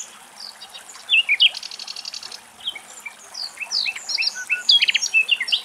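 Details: A Common nightingale sings in Greek nature, rich varied high phrases of clear whistles, rapid rattling trills and quick repeated notes.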